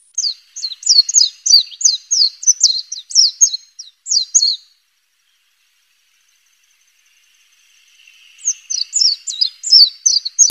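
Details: White-eye of the family Zosteropidae filmed in the wild, giving rapid, high, sweet twittering phrases of quick descending slurred notes, one burst lasting about four seconds, a pause, then another fast run of chirps.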